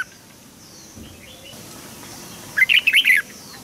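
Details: Red-whiskered bulbul singing for song training of young birds: a single quick phrase of five or six warbled whistled notes near the end after a quiet stretch.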